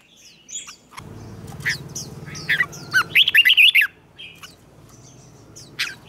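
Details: Red-whiskered bulbul in competitive training song: scattered sharp chirps over a low hum, then a clear burst of quick warbled notes in the middle, followed by sparse squeaky calls.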